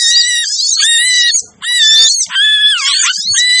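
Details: Noisy sogon lure call for hard-to-attract birds: long sustained bursts of high, squealing chatter with steady and sliding whistled notes, one short break near the middle.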